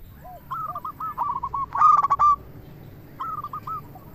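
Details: Local zebra dove in full song, a lure voice meant to make other doves answer; rows of short, soft cooing notes, one louder harsher burst of coos in the middle, then quiet coos resume after a pause.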